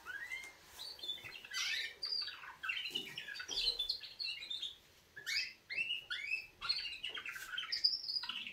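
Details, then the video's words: Canaries singing a wake-up song: rapid twittering phrases of chirps and trills in the high register, with short pauses between bursts and a quiet room behind. "Kanarienvögel Weckgesang |||Canaries wake-up song"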